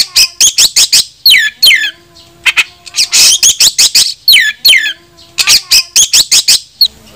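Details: Oriental magpie-robin (kacer) song used to challenge rivals and make them fan their tails: rapid strings of sharp chips broken by quick slurred whistled phrases, with a faint low hum underneath.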